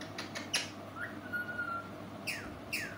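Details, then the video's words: Talking pet parrot with a sweet voice, uttering clicks, a long level whistle, then two sharp descending whistled calls, over steady room hum. "Mithu talking sweet voice"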